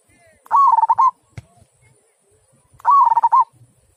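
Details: Zebra dove, a local bird singing in the prized "kung" style, utters two bursts of fast staccato cooing, each a bubbling run of tightly spaced notes, separated by a quiet pause and a faint click.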